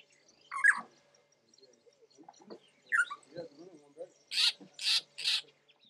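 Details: Spotted morning-thrush (Cichladusa guttata) song at Lake Baringo, Kenya, in January 2006: varied phrases of slurred, falling whistles and low chattering notes, ending with three harsh, rasping bursts.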